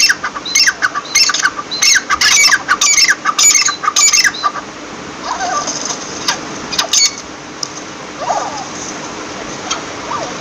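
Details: Partridge calling in a rapid series of harsh, squawky bursts with a high whistled edge, about ten bursts over four seconds. Fainter scattered notes follow over a steady hiss.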